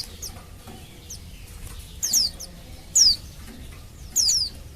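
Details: Female Oriental white-eye calling males to lure them into singing: several faint, distant high notes first, then three louder bursts of sharply falling whistles, the last a quick pair.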